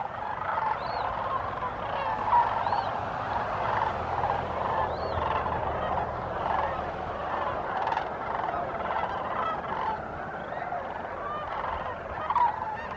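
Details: Large gathering of sandhill cranes, Bosque del Apache National Wildlife Refuge, New Mexico, December 9, 2015: an unbroken wall of distant and near rolling bugles for thirteen seconds, with scattered higher upslurred calls above.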